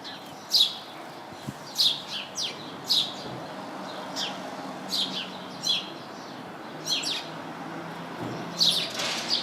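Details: House sparrows chirping from a bush full of them: short, sharp, bright chirps in loose clusters of two or three, spaced irregularly about a second apart, over a faint steady background hiss.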